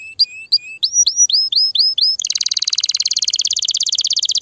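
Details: Excited canary song meant to prepare females for mating and nest building: a string of separate upslurred whistles, then a long, very rapid rolling trill.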